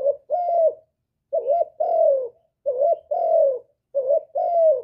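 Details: Low, hollow cooing of a spotted dove in 'hap boi' voice, the full sequence of calling, urging and cooing. A short wavering note runs into a long descending coo, in three or four phrases over a quiet background.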